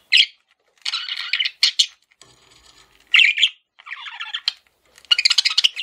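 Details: Male budgerigar, a pet parakeet, chirping in bursts of buzzy, harmonic-rich warbling with short sharp notes and brief pauses between phrases.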